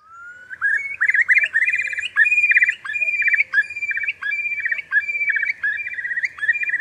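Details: Eurasian curlew: a brief rising whistle, then a long run of fast, bubbling trilled phrases. The phrases repeat in quick pulses, with short gaps between them, and hold one steady pitch throughout.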